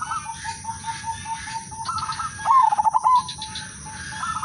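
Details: Zebra dove, udanmas silver lure singer: a long steady low tone, a higher soft phrase, then a loud fast stuttering coo of about seven pulses, followed by quieter higher notes.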